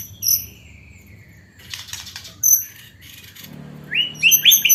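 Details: White-rumped shama with mimicked hanging parrot (srindit) song: shrill high notes, a long thin whistle sliding downward, scattered clicks, then a quick run of rising chirps at the end.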